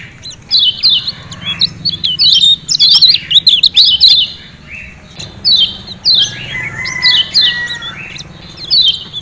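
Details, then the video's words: Kecial kuning from Lombok, the lemon-bellied white-eye, giving 'ciak ciak' calls to coax captive birds into song: paired descending chirps, a busy stretch of quick high twittering, then chirp pairs again. "Ciak Ciak Kecial Kuning Joss Ampuh Bikin Kecial Rajin Bunyi"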